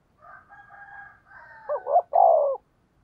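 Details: Soft, higher wavering coos from a second dove lead into one loud, deep phrase from a decoy spotted dove, a quick double note then a long hollow coo, used to draw wild doves.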